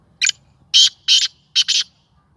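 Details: Tame caged Sindhi black francolin calling for the first time. The phrase has five harsh, scratchy notes: one brief, two drawn-out, then two tight final notes, finished within roughly two seconds. The surroundings are quiet.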